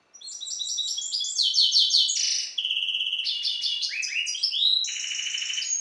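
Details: Captive-bred European goldfinch hybrid singing a song modelled on the Balkan goldfinch (C. c. balcanica): rapid high twittering trills, buzzy repeated notes and a drawn-out whistled note, then sliding, rising slurs, continuous and loud.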